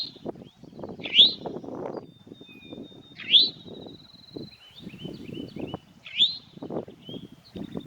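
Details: An Eastern Towhee at Natural Tunnel State Park gives its sharp, upslurred 'wheat' call three times, about every two to three seconds, over a steady low rumble and faint thin notes.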